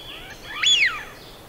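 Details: A single clear whistle from a Eurasian Wigeon in Central Russia, swooping sharply up then sliding down, a breathy 'wheeoo', with faint high bird notes in the background.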